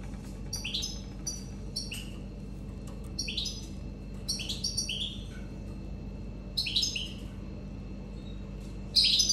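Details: Six-day-old Raza Española canary chicks being fed by their mother give bursts of thin, high, rapid begging cheeps. Each burst lasts under a second, and they come in clusters about every one to two seconds.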